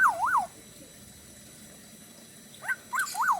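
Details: Black-naped oriole singing lively in Bali style. Two swooping whistled notes are followed by a long quiet gap, then short upslurs and another arched fluty note.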